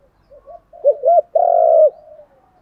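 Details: Spotted dove kept as a decoy to stimulate wild doves: soft introductory coos, two loud looping coos, then a long buzzy trilled note that bends down at the end, fading into quiet murmurs.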